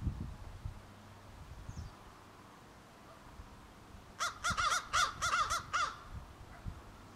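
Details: Young crows, newly fledged to nearly juvenile, practising their many calls: a hurried burst of harsh, nasal caws, some doubled and run together, lasting under two seconds, with low rumbling noise around them.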